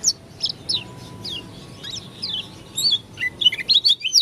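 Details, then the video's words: Oriental white-eye of the dakun type from Lombok, singing an unusual song: scattered high, thin chirps and short slurred notes, sparse at first and then quicker and denser toward the end, over a low background hum. "Pleci dakun lombok suara aneh"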